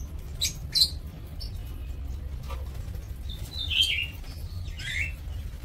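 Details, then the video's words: Lovebirds kept for breeding in an aviary, recorded 2 October 2024: sharp, high chirps scattered through the clip, some in quick pairs, with longer squeaky notes near the end over a low background rumble. "Aviary Lovebird"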